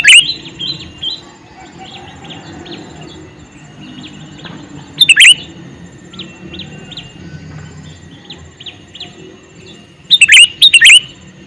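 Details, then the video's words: A calling male sooty-headed bulbul gives two loud bursts of bubbly notes, one at five seconds and one at ten seconds, while a fainter bird repeats thin, short chirps steadily in the background. "Suara Burung Kutilang Jantan MeManggil"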